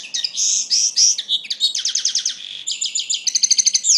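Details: Common linnet singing: varied twittering song mixing short whistled notes, fast rattling trills and bright repeated chirps, delivered without pause for the full four seconds, loud and close.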